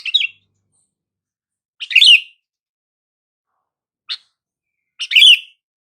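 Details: Sooty-headed bulbul calls meant to draw a response from silent bulbuls: three brief, bubbly slurred phrases spaced a couple of seconds apart, plus a single sharp tick, in clean surroundings.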